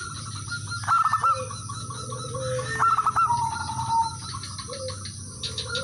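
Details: Local male zebra dove calling rivals, used as a lure so other birds join in singing; quick bursts of four or five cooing, bubbling notes around two seconds apart, with lower drawn-out coos between and a steady high hiss behind.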